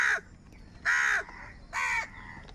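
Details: Crows fighting for food: three loud, harsh, nasal caws, each about a third of a second long and spaced under a second apart, rough and raspy, over quiet outdoor background.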